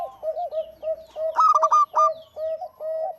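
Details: Local zebra dove cooing in a quick series of soft arched notes, broken by one short, loud, stuttered burst of ringing notes.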